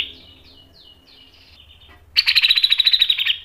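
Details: Soft, repeated downslurred whistles from a grey-cheeked bulbul lead into a loud, fast run of harsh pulsed chatter at steady pitch, recorded as masteran tutor song.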